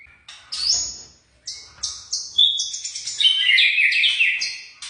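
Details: Young white-rumped shama giving separated phrases: clear whistles, a rising squeak, then a busier run of chattering high notes, each phrase starting abruptly after short silences.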